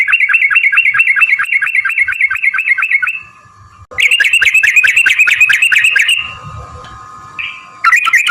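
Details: Fast trilling 'ropel panjang' song of a yellow-vented bulbul, played to draw replies from other birds: quick repeated warbled notes in long bursts, broken by short quiet spells.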